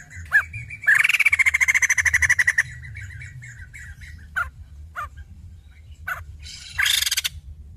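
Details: Female white-crested laughingthrush: a harsh, rapidly pulsed rattling chatter lasting about two seconds, followed by scattered short sharp calls and a final brief loud burst, over low background hum.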